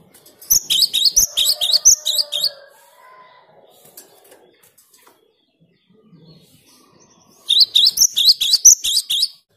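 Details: Cinereous tit in clear, nonstop song used to provoke rival birds: a fast series of piercing paired notes, a lull with faint low sounds, then another equally rapid series.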